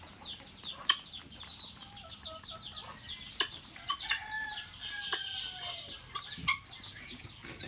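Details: Feeding time for a group of helmeted guineafowl in Assam, with busy high-pitched chatter, some drawn-out thinner whistled notes, and frequent sharp clicking taps.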